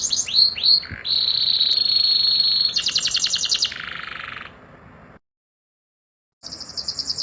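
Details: Vigorous canary song with pauses, "roll tembak" style, meant for training songbirds: quick downslurred chirps, a long steady high whistled tone, then a buzzy rattling trill, a brief silence, and high trilled notes resuming.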